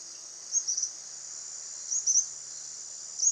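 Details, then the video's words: Tropical kingbird, known locally as suiriri, singing in Itatiba, São Paulo, Brazil, on 31 December 2016 at 10:58, recorded with a Panasonic HDC-HS80 camcorder: three brief, high twittering si-ri-ri bursts over a steady, high insect drone. "Canto do suiriri (Tyrannus melancholicus)"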